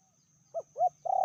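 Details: Female spotted dove, fiercer than the male, calling in a medium voice with two brief hooked notes and the start of a long, steady coo.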